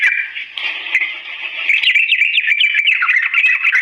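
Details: Sooty-headed bulbul in a long, slow-paced rolling song meant to help other bulbuls learn by imitation: dense warbled phrases around a steady mid-high pitch, broken by short sharp chips that quicken in the second half.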